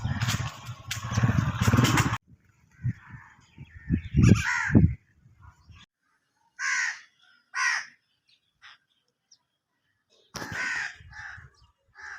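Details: Birds calling in hawelli. A loud burst of low noise comes first, then scattered hoarse, cawing notes with pauses of a second or more between them.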